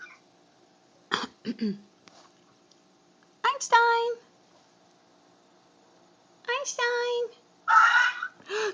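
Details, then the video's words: Pet macaw gives a few loud, harsh squawks and ringing, harmonic screeches in short bursts a few seconds apart, with a parrot's chatter mixed in, while its owner is away; a puppy is also in the home. "Macaw Screams"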